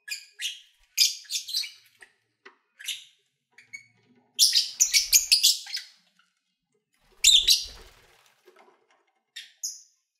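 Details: Lovebirds at play and feeding; irregular scratchy chips and chatter bursts of varying loudness, with a couple of soft low thumps.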